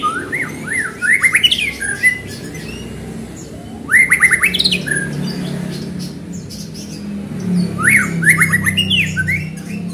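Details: White-rumped shama song used to trigger other shamas into singing: rapid series of rising zigzag whistled notes in three main bursts, mixed with harsh buzzy notes, a steady low hum underneath.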